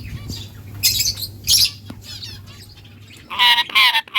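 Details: Pet lovebirds kept alongside a ringneck parrot and budgies: sharp, harsh, high squawks come in short bursts, with a loud double squawk near the end, over a low steady hum.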